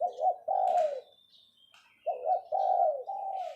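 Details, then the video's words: Captive decoy spotted dove giving its 'phao phao' calling coo: two low, mellow cooing phrases, each a short double note then a longer falling coo, with a pause between. Faint thin high whistles of other birds sound in the background. "เสียงนกต่อ ขันเรียกเพาะๆ"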